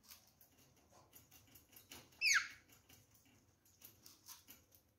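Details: Pair of rose-ringed parakeets feeding on apple and orange pieces without seeds; one loud, grating squawk that slides downward, surrounded by rapid clicking and pecking taps.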